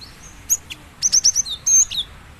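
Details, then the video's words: Short burst of Java sparrow song meant to trigger singing in other Java sparrows: one sharp chip, then a fast string of high clicking notes ending in clear, sliding whistles. "Dijamin gelatik batu lain langsung gacor dengar suara ini"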